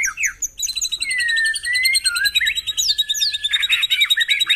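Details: White-rumped shama singing, used as a lure for caged birds at morning dew-airing: drawn-out pure whistled notes, a low slurred dip, then rapid repeated chips and high sweeping notes.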